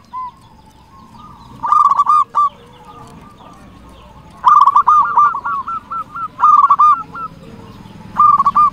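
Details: Local zebra dove in full song, used as a lure to get silent or reluctant caged doves to sing; bursts of quick, hooked cooing notes in short trilled runs, separated by pauses of one to two seconds over a quiet background.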